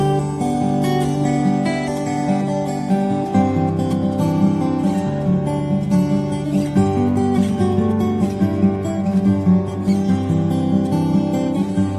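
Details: Strummed acoustic guitar music plays steadily throughout. No bird or other animal voice can be picked out.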